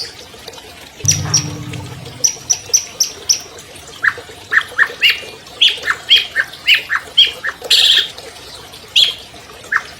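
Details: Champion albino long-tailed shrike from 2020, its song used to coax non-singing captive shrikes: scattered high thin whistles and sharp chips in an uneven sequence, with a brief low hum near the start.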